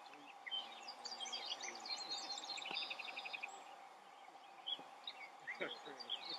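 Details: Gray Catbird perched out in the open, singing a rambling jumble of squeaky, scratchy phrases with a quick rattling trill, over a steady low hum and other faint birds.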